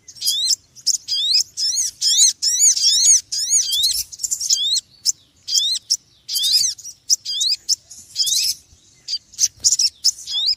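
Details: Restless run of high, curved chirps from a small noisy bird, delivered in quick uneven clusters roughly once per second over a quiet background.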